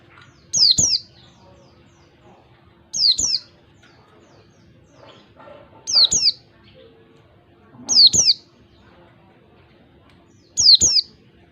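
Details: Wild white-eye calling in a beat pattern used as a lure for caged white-eyes: five evenly spaced pairs of high, piercing, falling whistles, roughly every two and a half seconds, with a low hum behind.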